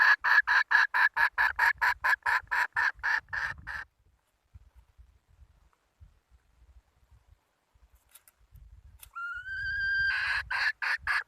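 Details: A hen, recorded in 2020, gives a quick run of loud, evenly spaced clucks, falls silent for several seconds, then utters a rising tonal note that leads back into more rapid clucking.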